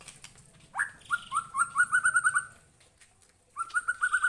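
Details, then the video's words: White-rumped shama answering a lure recording, with a rising swoop followed by a fast run of repeated clear notes, a pause, then the run again. "Kicauannya gak ada remnya !!! Tonton sampai akhir video Murai Batu Gacor ini"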